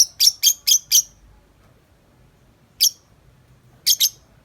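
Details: Tame lovebird out of its cage, chattering: a fast string of five scratchy high chirps, a long pause, one lone chirp, then a closing doubled note.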